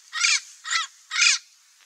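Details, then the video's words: Parrot giving three loud, harsh, nasal squawks, each about a quarter second long with layered tones, spaced roughly half a second apart, over a faint steady hiss. "O SOM DO PAPAGAIO"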